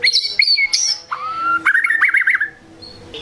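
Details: White-rumped shama singing to stir rival shamas: high whistled phrases, a long steady whistle, then a quick wavering warbled trill, followed by quiet.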